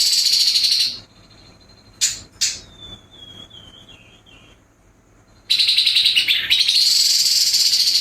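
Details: Grey-headed babbler in harsh 'nembak kasar' song, a training recording for contest birds: a buzzy high trill, then two sharp clicks, a thin faint warble, and a long rattling trill resuming after a pause.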